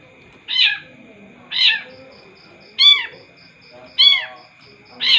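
Long-tailed shrike giving five harsh, nasal, mewing notes about once a second, over a thin steady high tone and faint high ticking.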